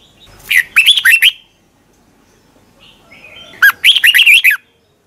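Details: Morning song of a red-whiskered bulbul, used as a lure to train other birds. Two quick bursts of jumbled warbling whistles rising and dipping, with a soft twittering note between them and otherwise quiet surroundings.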